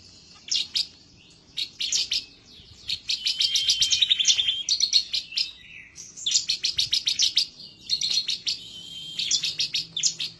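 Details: Ciblek semi, a bar-winged prinia, in emotional rival-seeking song used as a tutor recording: repeated fast strings of high, dry chirps in bursts of about one to two seconds separated by short gaps.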